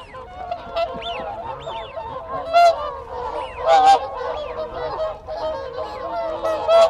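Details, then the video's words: Whooper swans in a group exchanging contact calls at close range. Loud, bugling honks burst out every few seconds over a constant murmur of the flock, with whistling wigeon and Canada geese audible behind. "Whooper Swan. CU Contact Calls Of A Group."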